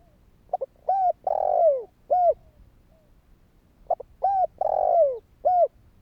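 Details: Spotted dove in kích bổi calling, used to provoke other doves to answer: two clipped notes, a level coo, a long falling coo and a final coo, and the whole phrase is repeated after a short pause.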